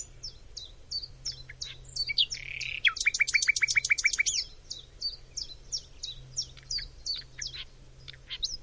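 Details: Nightingale in Macedonia sings repeated crisp descending chips, breaking into a dense rapid trill of high and lower clicks mid-phrase before returning to spaced chirps.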